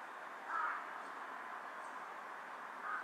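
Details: Perched on a power line and bowing with each call, a carrion crow gives two hoarse caws more than two seconds apart, with steady background noise throughout.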